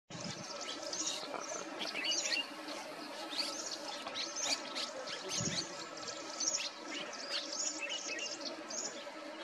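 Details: Several red-rumped swallows gathering wet mud to build nests at a market area in Manila, Uttarakhand, give a steady stream of short, high chirps and twitters over a faint constant hum and a few low thumps.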